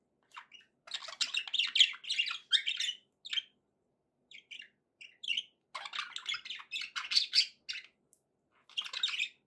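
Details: Pet budgies sing two long runs of rapid, high scratchy chatter and chirps, split by a quieter stretch of a few isolated tweets.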